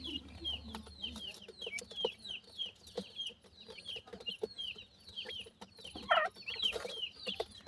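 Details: Grey francolin family with chicks feeding: many thin, high, downslurred peeping chirps, rapid and overlapping throughout, with scattered sharp clicks and taps and a brief louder harsh burst near the end.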